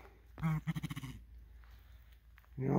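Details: Aggressive, fearless male blue grouse confronting a hiker near its territory on the Skookumchuck Trail: a burst of deep, rapid pulsed clucks lasting under a second, followed by a man talking calmly to the bird.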